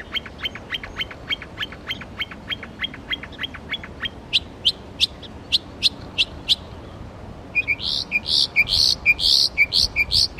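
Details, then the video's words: At Belle Isle Marsh Reservation in East Boston, Massachusetts, a northern mockingbird cycles through borrowed bird songs: a long run of quick sharp chips, then a series of higher thin notes, then a burst of harsh buzzy repeated phrases. "Northern Mockingbird bird songs"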